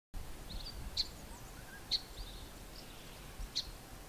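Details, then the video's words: Male Greater Double-collared Sunbird giving three sharp, high 'chip' calls at uneven intervals, with faint twittering between them, breaking into a swizzling, warbling song, over low rumbling background noise. "Greater Double-collared Sunbird male making the 'chip' call and singing the warbling song"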